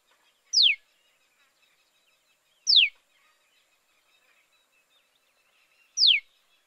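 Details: Eleven-day-old Common Tailorbird chicks, leaving their nest for the first day from a potted hibiscus in a Kolkata garden, give three thin, high squeaks, each dropping sharply in pitch, about two and a half seconds apart, over faint hiss.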